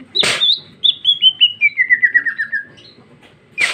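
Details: Female greater green leafbird singing vigorously: a rapid series of about a dozen bright, slurred whistles stepping down in pitch, framed by loud broadband bursts at start and end.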